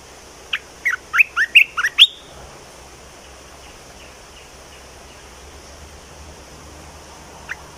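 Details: Bulbul delivering a rapid string of about six bright whistled notes rising toward the end, then a long quiet stretch and one last note.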